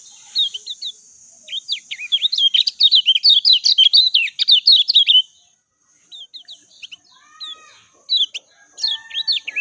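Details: Lemon-bellied white-eye (kecial kuning) singing an agile, clear, natural song used to prompt quick responses from other birds. Rapid high twittering bursts of short rising and falling chirps, with a dense run in the middle, a pause, then scattered sharp notes.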